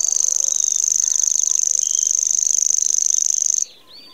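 A Grasshopper warbler reels out a high, dry, insect-like trill, very fast and unbroken for over three seconds before stopping abruptly; faint notes from other birds sit behind it.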